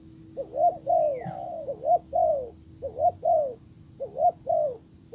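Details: Decoy spotted dove calling to lure a wild dove, which pays no attention; soft hollow coo phrases of short rising notes ending in a long falling coo, repeated about four times, over a steady low hum.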